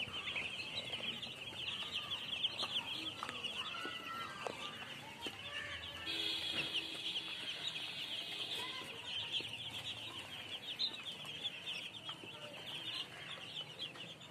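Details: A continuous chorus of shrill baby chick peeps, with a few louder individual chirps standing out and a faint steady tone partway through.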